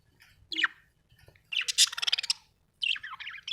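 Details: Happy budgerigar giving a quick falling chirp, then a dense burst of raspy chatter, then wavering warbled notes, over a quiet low hum.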